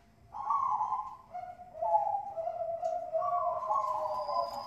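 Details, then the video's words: Lure song of a captive Bangkok-type zebra dove from Bekasi, West Java: drawn-out, gently warbling coos stepping down and back up in pitch, sung almost continuously over a faint background hum. "Pancingan perkutut bangkok gacor ampuh"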